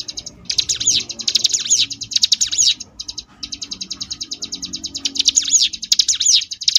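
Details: Sunda bush warbler ngebrem song variation used to train competition birds; long continuous high buzzing trills broken by short gaps, interrupted by loud sweeping whistled phrases near the start and end.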